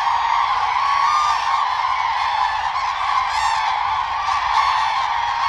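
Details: Common cranes during a mating-season dance ritual: a dense, unbroken chorus of honking, trumpet-like calls from many birds overlapping into a steady wall of sound, with no pauses.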